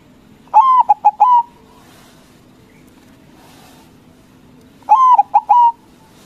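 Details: Loud song of a white local zebra dove, used to rouse rival doves to reply: two clear phrases about four seconds apart, each a long coo, two quick notes and a sustained closing coo, with quiet between.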